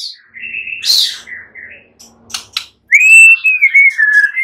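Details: White-rumped shama, a normally silent bird said to be provoked into full, aggressive fighter song: clear drawn-out whistles, a buzzy burst, a few sharp clicks, then a loud sliding whistled phrase falling and rising in a small room.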